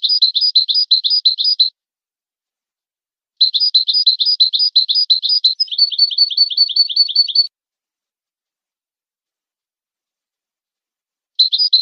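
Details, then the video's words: European goldfinch pure song, played to stimulate and teach goldfinches: bursts of rapid, high tinkling notes lasting one to four seconds, separated by silences, with the phrase shifting midway to a slightly lower, buzzier repeated note. "How to teach the pure song of goldfinches and songbirds"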